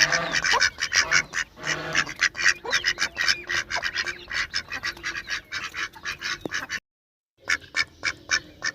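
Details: Several ducks quack in a busy run of harsh, clipped calls, some drawn out and honk-like, before a short break and a few more spaced quacks.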